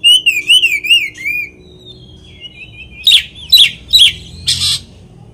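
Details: Oriental magpie-robin singing to provoke a rival magpie-robin. A warbling, wavy whistle is followed by a pause, then four loud, harsh, clipped notes in quick succession.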